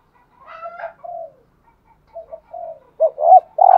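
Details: Decoy spotted dove giving soft, hesitant low coos that strengthen toward the end into a loud, rising double note and a sustained coo, with a faint higher whistled tone at the start.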